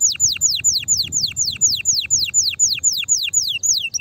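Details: Canary singing meant to excite a female and spur other birds into song: a slow series of loud downward-sweeping whistles, about two per second, evenly repeated, ending on a short low note.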